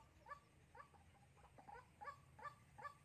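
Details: White-breasted waterhen, a new decoy bird calling to attract others for trapping in Soc Trang, early February 2021. Soft, short croaks come in an uneven series, roughly two to three per second, over a low hum.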